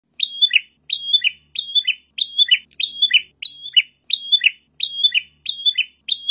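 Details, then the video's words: A prinia sings a bright, high, chirpy phrase ending in a short level whistle, repeated steadily about twice a second with no other sounds. "suara burung perenjak"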